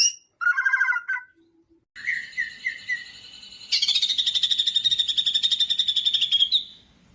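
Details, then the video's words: White-rumped shama singing as a lure for other shamas: a burst of harsh trilled notes, then stuttering whistles over a low hum, ending in a long, fast, buzzy trill. "murai batu gacor AMPUH UNTUK pancingan murai batu agar bunyi langsung bikin emosi"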